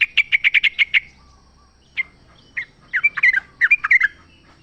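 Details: Yellow-vented bulbul calling in the wild, forest recording used to coax kept birds into song: a rapid run of seven even chirps, a pause, then scattered bubbly, warbling notes toward the end.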